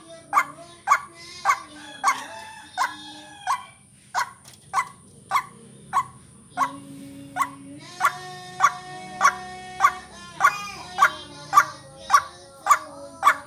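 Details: White-breasted waterhen lure call for vocal training, with harsh notes repeated about twice a second. Prolonged harmonic tones swell through the later half, over a low rumble and a steady high whine.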